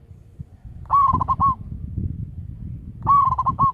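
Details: Zebra dove of local stock serving as a lure, loud-voiced, uttering two stuttering coo phrases two seconds apart, each a bright opening note followed by fast broken notes, with low rumble behind.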